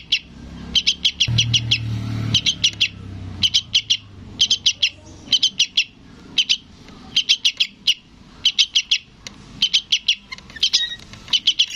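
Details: Yellow-vented bulbul youngster persistently calling its parent: a long sequence of high chirps in tight groups of three to five, repeated about every second with brief pauses.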